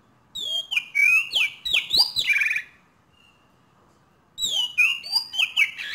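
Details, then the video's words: Asian pied starling gives two bursts of quick, slurred whistles and squeaky chatter, notes sliding up and down, separated by a few seconds of quiet; a bird learning its sounds. "Jalak Suren Belajar Bunyi"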